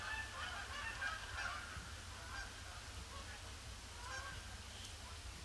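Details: Canada geese circling a pond on a gloomy Boxing Day before landing; softer, more distant overlapping honks, a few clearer calls near the start and middle, over a prominent low rumble.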